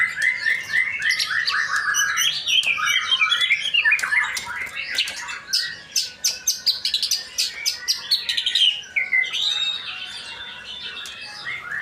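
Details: Long, energetic song of a male white-rumped shama from Indonesia, a dense stream of fluty whistles, quick trills and harsh chatters mixed with clicking notes.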